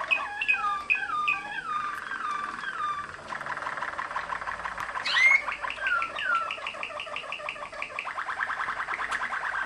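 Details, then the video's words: Malinois-type Waterslager canary bred in Macedonia sings a varied phrase: descending whistled slides first, then a bright rising whistle and a long rapid rolling trill of evenly repeated notes, indoors. "Waterslager, Malinois song"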